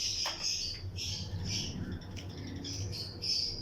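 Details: Pairs of Lutino lovebirds in a colony flight aviary among other birds, giving continuous high, shrill chirps and short squawks in overlapping bursts above a constant low background hum.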